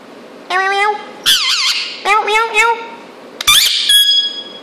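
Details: Two-year-old Indian ringneck parrot indoors talking, giving a few short speech-like phrases with rising and falling pitch, then two higher squeaky bursts near the end.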